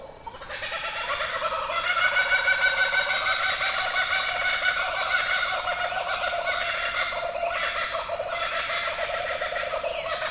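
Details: Laughing Kookaburra (Dacelo novaeguineae), found only in Australia, gives its laughing call: a loud, rollicking chorus of rapid chuckling notes that rises and carries on for ten seconds, harsh and cackling throughout.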